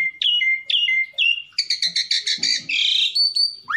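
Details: Song of a black-collared starling, played to stir rival birds to answer: repeated clear whistles with upward flicks, then a fast buzzy rattling series and a long harsh note before a final rising whistle.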